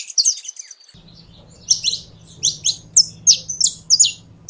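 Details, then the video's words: Song of a Saffron finch: quick high chirps, a short gap, then a series of clear downslurred whistled notes repeated about every third of a second over a low hum. "CANARIO DA TERRA"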